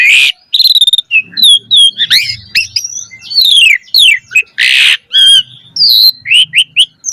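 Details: Javan pied starling in full song as a tutor recording for young starlings: harsh squawks mixed with clear slurred whistles and scratchy chatter, loud and busy throughout with few pauses.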